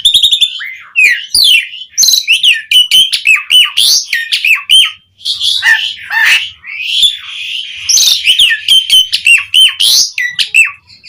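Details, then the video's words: Asian pied starling in full, rich song used as a lure to get other starlings singing: a dense run of varied whistles, harsh rasps and sharp chirps, mostly high, in quick overlapping bursts with brief pauses. "Suara JALAK SUREN Gacor MATERI Full Mewah Cocok Buat Pancingan Burung Jalak Biar Cepat Bongkar Isian"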